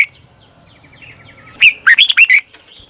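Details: Red-whiskered bulbul decoy song for training birds: faint soft repeated chips at first, then one loud burst of rapid, swooping whistled notes lasting under a second.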